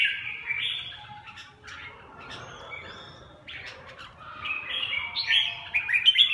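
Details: Red-whiskered bulbul delivering song in the "rét 4" style: a short warbled whistle opens, then a quieter stretch of soft chatter follows, and a run of louder, bright, rolling whistled phrases closes, over low background rumble.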